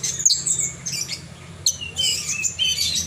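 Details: Horsfield's bush lark singing vigorously, harsh high squeaky bursts and brief whistled notes in two or three dense clusters separated by short gaps, faint low hum behind.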